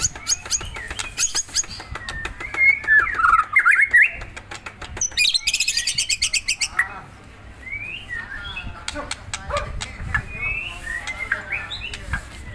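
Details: Provoked white-rumped shama: scratchy, rapid warbled burst mid-phrase among dense clicking and loud rattling noise, then softer scattered whistles over a low background hum.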